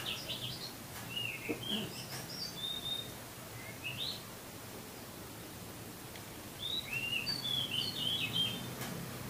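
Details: Master song of an oriental magpie-robin for coaxing caged birds to sing: scattered sweet whistles and short slurred notes in bursts, separated by pauses, over faint background hum.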